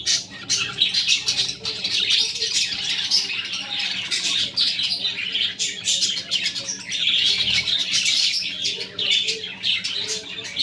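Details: Budgies with their babies keep up busy high chirping, a stream of rapid scratchy tweets and squawks that swells and dips in loudness over about ten seconds.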